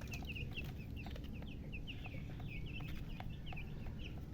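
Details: Chicken with a coloured hen, chirping: short, high, slightly rising and falling peeps repeated several times a second throughout, over a steady low rumble of background noise.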